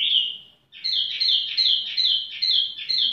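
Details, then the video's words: Tiểu mi bird in relaxed, leisurely song: one high whistled note, a short pause, then a quick run of repeated chirping notes, about two or three per second. "chim tiểu mi chơi lai rai"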